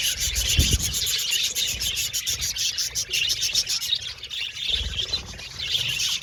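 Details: Budgerigars in an aviary colony twittering steadily, rapid high chirps and squeaks layered from many birds, with occasional low knocks.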